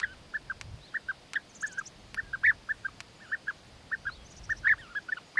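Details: European bee-eater courtship, male presenting food gifts to the female; short rolled 'prrip' notes repeated every half second or so, mostly evenly spaced, with an occasional louder note and faint clicks.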